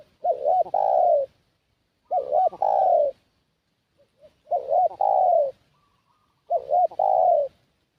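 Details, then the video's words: ['Spotted dove kept as a decoy to pull in wild doves, cooing four times in steady rhythm, roughly every two seconds, each phrase two short rising notes then a long falling coo.'] "Suara Pikat Burung Tekukur"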